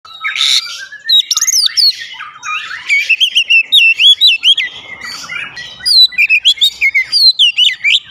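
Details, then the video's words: Oriental magpie-robin in loud, energetic song. Rapid varied phrases of clear whistles and slurred, rising and falling notes run in quick bursts, with sharp high chips between, against quiet surroundings. "memancing suara Kacer cepat ngeplong rajin bunyi gacor tiap hari"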